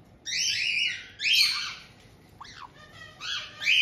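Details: An indoor group of white-bellied caiques in Hokkaido's Tokachi region, June 18, 2023, with a resident pair welcoming a two-month-old newcomer. Harsh, buzzy screeches follow one another, broken by a short down-slurred whistle and a few quick rough notes.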